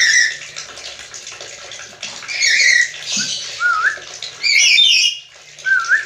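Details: Black-capped lory imitating human talk, harsh squawky syllables mixed with curving whistled notes in quick phrases, ending with a rising whistle.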